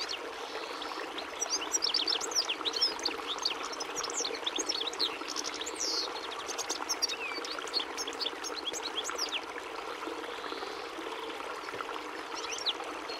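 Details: Song of a European goldfinch (Carduelis carduelis): quick, varied high twitters and tinkling trills pour out between about two and seven seconds, then thin to occasional chirps, all over a constant rushing hiss.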